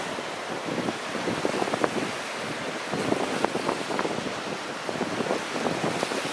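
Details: Gusty wind and breaking surf on a rocky coast, with bursts of splashing water and microphone wind buffeting; no animal calls.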